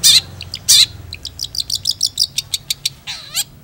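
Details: Long-tailed shrike singing: a couple of harsh rasping bursts, then a rapid train of short ticking notes, ending in a drawn-out buzzy slur and a final rasp.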